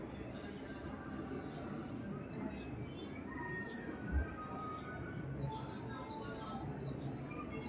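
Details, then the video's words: Red-vented bulbul chicks in the nest, possibly at feeding, give thin, high peeps that repeat rapidly and steadily over a constant low rumble of background noise. "Babies of Red Vented Bulbul"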